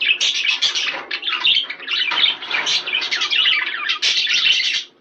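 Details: Busy budgerigar warbling used to stimulate pairs to breed, a nonstop stream of quick chirps, twitters and harsh squeaks that fades out at the very end.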